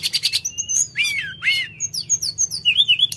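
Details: Sooty-headed bulbul singing energetically: a burst of rapid dry chips, then clear whistled notes and downslurred sweeps, ending in a run of quick rising-falling whistles.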